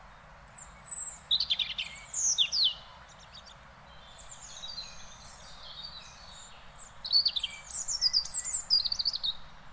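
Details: A European robin in Beverwijk, the Netherlands, sings high, thin, tumbling phrases of trills and slurred whistles, each burst a second or two long, separated by pauses, with a soft background hiss.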